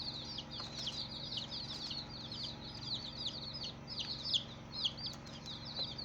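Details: Baby chicks, many and colourful, chirping together: high downslurred peeps tumbling over one another, a couple of louder sharp peeps near the end, steady low hum behind.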